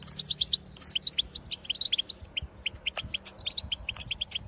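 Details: Wild goldfinches in the countryside twittering and calling to their own species: bright tinkling notes in short runs, some higher pairs at the start, with a constant low hum.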